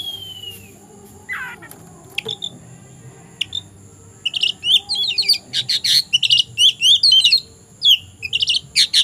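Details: An afternoon oriental magpie-robin primed to fight a rival opens with a few slurred whistles, then bursts into a rapid, varied chatter of short high notes for its last five seconds. A faint constant high tone sounds throughout.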